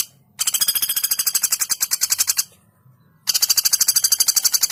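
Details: Female common flameback used as a training recording: two long bursts of rapid, machine-gun-like repeated sharp notes, each about two seconds, split by a brief silent gap.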